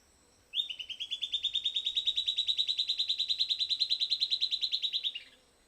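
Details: After playback of pre-recorded sound, a silvered antbird delivers a sustained, rapid trill of high, evenly spaced notes lasting about four and a half seconds, ending with a brief downward slur, over faint background hiss.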